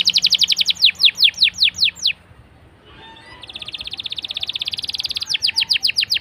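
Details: Canary song used to prompt other canaries: a series of loud descending whistles, a brief pause, then a long soft rolling trill that swells and turns back into sharp downsweeps.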